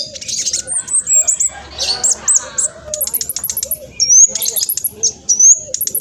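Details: Spotted black sunbird in fast song: high buzzy chatter, looping whistled notes and sharp rising slides, repeated in uneven bursts.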